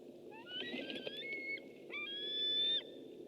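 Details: A white-tailed eagle calls on a webcam, 6 August 2015: a rising, somewhat rough whistle with clicks and knocks, then a second long, clear whistle climbing slowly in pitch before cutting off, over a low hum.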